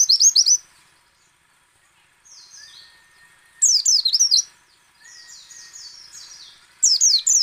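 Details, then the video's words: White-eye song in the ngecal, ngalas and nembak styles, used to coax other white-eyes into singing: loud bursts of rapid high twittering notes at the start, middle and end, separated by softer, thinner chattering passages. "PLECI ngecal, ngalas dan nembak AMPUH memancing pleci buka paruh"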